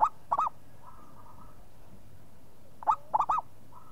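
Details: Local zebra dove replying immediately: clipped bubbly coo notes open the stretch, then a faint drawn-out coo series, then a loud burst of three or four rolling coos, with another faint coo at the end.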